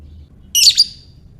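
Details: A single short harsh raspy burst from a lovebird ngekek, a chatter played to provoke other lovebirds, doubled at its end and lasting under half a second in a quiet room.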